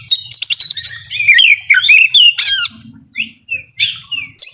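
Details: Oriental magpie-robin singing a dense burst of rattles and twisting whistles, a harsh squawk, then spaced single whistled notes sliding down.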